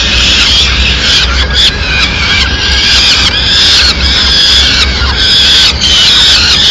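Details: Loud begging from peregrine falcon chicks in Madrid as their mother arrives with a small bird as prey; rapid, harsh squealing cries repeated about once a second, sometimes overlapping, against low steady rumble.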